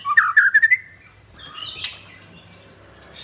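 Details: Caged white-rumped shama of the blorok type with double leg rings, held at a bird kiosk in Kemayoran, Jakarta, Indonesia, recorded Thursday 19 May at 9 am; a quick burst of bright whistled notes sliding upward, then near quiet.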